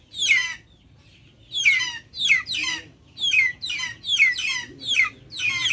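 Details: A pause, then a string of high-pitched, downward-sweeping calls from backyard chickens, about seven bursts in quick succession.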